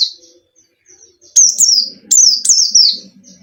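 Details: Caged white-eye song used as a lure for a silent bird: soft opening notes, then loud high whistled phrases sliding downward in three bursts over faint low background noise.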